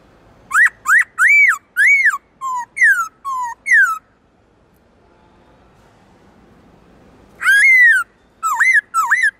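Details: Black-throated laughingthrush kept for song, switching voices: a quick series of eight arched and falling whistles over four seconds, a long pause, then a loud slurred whistle and two short looping notes.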